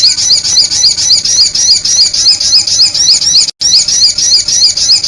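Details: Sunbird lure sound used to attract birds: loud, high, thin twittering phrases repeated in a tight steady loop about four times a second, with one brief silent break midway.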